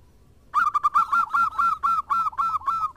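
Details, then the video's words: A local zebra dove singing actively in reply to others: after half a second of quiet, a loud, regular run of about ten short, ringing cooing notes, each slightly downturned, repeated several times a second. "PERKUTUT JADI RAMAI SALING SAHUT !! (Perkutut lokal gacor)"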